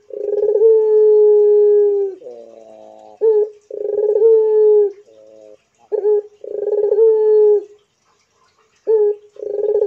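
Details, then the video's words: Barbary dove of the pelung type in full cooing: drawn-out level hoots alternate with brief quavering grace notes and short clipped coos, three long phrases in under ten seconds. "PUTER BISU I DENGARKAN MANGGUNG PUTER INI GACOR PLONG I PUTER PELUNG GACOR DOR"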